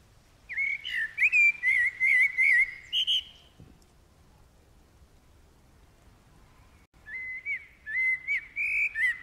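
Common Blackbird singing two unhurried, mellow fluted phrases, each ending in a thin, high twitter, separated by a few seconds of quiet.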